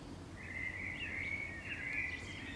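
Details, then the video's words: Common Swift (Apus apus) hooked onto a house wall beside nest boxes in summer, during inspection of the boxes; one long, shrill, buzzy scream, nearly continuous with slight wavering, over a low background hum. "Common Swift banger on wall of neighbours"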